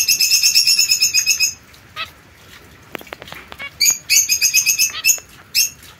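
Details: Caged young zebra finch pair, white female with mosaic male, recorded 22 September 2024: a fast train of nasal, tinny beeps, a pause with soft clicks, then another rapid burst of the same beeping notes.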